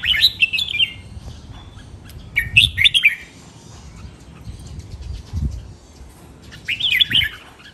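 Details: Red-whiskered bulbul training song in the len rik, nap dok, mae bot and lak wai styles. Three cheerful, rolling warbled phrases are spaced a few seconds apart over a soft low background rumble.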